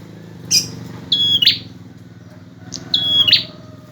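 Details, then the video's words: Persistent male bar-winged prinia song for training other songbirds: two high whistled phrases, each a thin note leading into a quick buzzy burst, with a faint steady hum behind. "Suara burung prenjak jantan gacor"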